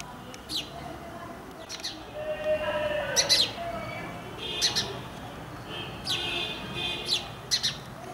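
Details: Repeated high chirps from an Indian house sparrow (Passer domesticus indicus) living near human habitation in India, arriving in irregular bursts roughly every second or so, with a louder busy patch midway and a faint background hum.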